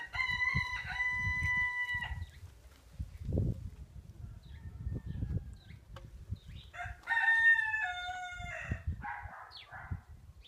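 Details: Pekin frizzle bantam chickens (the two blue-mottled-white hens are recovering after a long moult and have started laying): two drawn-out crows about five seconds apart, each around two seconds long, with short clucks between and a low outdoor rumble.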